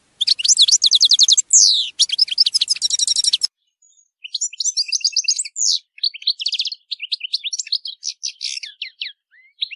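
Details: Goldfinch song for teaching captive birds, a long high-pitched outpouring of liquid twitters and quick trills, a brief pause near the middle, then varied chirping notes continuing to the end.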